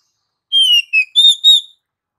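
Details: Oriental magpie-robin whistling four pure, drawn-out notes: a slightly falling note, a shorter lower one, then two steady higher notes. The sound is clean, with nothing in the background.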